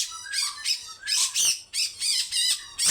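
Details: Grey-cheeked bulbul delivering a long, rough, harsh song intended to wake other birds: a few loud scratchy, buzzy phrases spaced about half a second apart, each with a wavering whistled edge.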